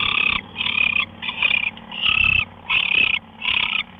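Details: Early-morning owl, 5:27 AM on March 24, 2013, on a live camera, giving quick, raspy hissed screeches in close succession, six bursts in four seconds, with a low background hum.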